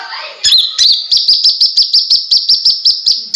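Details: ['Konin (kolibri ninja) singing actively, used as a tutor song for other birds: a dense run of high, sharp chirps, about three per second, over a sustained thin whistled tone.']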